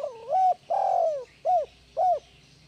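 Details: Spotted dove cooing, recorded to get reluctant doves calling: a rounded coo, a drawn-out rough falling note, then two brief mellow coos spaced about half a second apart. Background is quiet.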